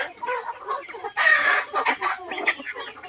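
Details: Chickens and ducks eating together in a garden; busy mixed clucking with a louder harsh burst in the middle and a few rising squawks near the end.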